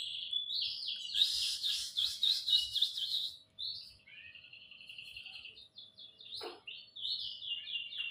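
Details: Canary singing in a quiet setting: fast rolling trills and buzzy chattering phrases, a loud dense burst early on, then softer, lower warbled runs and a short descending note before more high trills.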